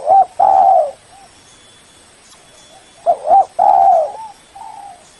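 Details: Lure call of a spotted dove, meant to call in a rival male: two short, rapid coos run into a long, loud, level coo, followed by fainter softer coos; the phrase comes twice, roughly three seconds apart.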